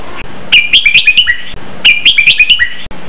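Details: Red-whiskered bulbul training song in the 'double 23' counted-note style: the same loud bubbling whistled phrase of about six notes given twice in quick succession over a steady hiss.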